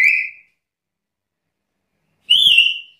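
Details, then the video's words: Captive black-capped lory in full song gives two loud, clear whistles about two seconds apart, the second slightly rising then steady and drawn out, in an otherwise quiet room. "Suara burung nuri kepala hitam gacor"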